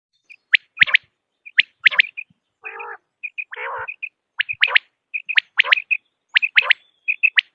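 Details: Common quail calling: sharp, clipped notes in quick groups of two or three, each group led by short soft whistled notes, with two harsh rasping bursts midway.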